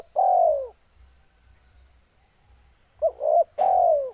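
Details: Spotted dove in breeding condition: a long, mellow, descending coo, then a pause, then a quick double coo leading into another long falling note.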